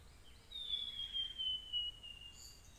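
Blue-and-white flycatcher giving one long, thin, high whistle that slides slowly downward for about a second and a half, over faint background hiss.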